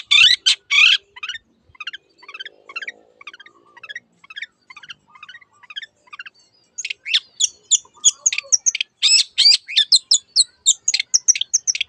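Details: Pendet, the long-tailed shrike, in gacor song: short scratchy chips first, then a quiet stretch of soft ticking notes, building into a fast, busy burst of sharp, high chattering notes near the end.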